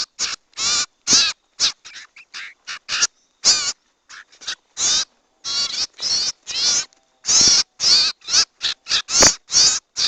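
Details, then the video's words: Owl (cipou, sirtu) call recording used as a lure for catching owls: dense series of harsh, raspy screeches in irregular bursts, some short and clipped, others drawn out, with no other sounds. "MP3 PIKAT BURUNG CIPOU || BURUNG SIRTU"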